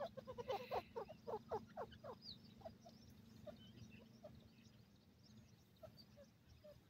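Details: Francolin (teetar) chicks peeping in a quick series of short, thin notes for about two seconds, then fading to sparse faint chirps over a steady low hum.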